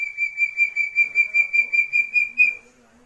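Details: West Javan chestnut-bellied partridge youngster calling with a string of about twelve piercing, same-pitched whistled peeps in rapid rhythm, ending with a slightly higher note before fading.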